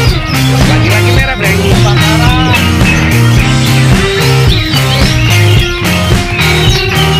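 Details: Loud rock music with guitars and a steady beat fills the whole recording, with no animal voice.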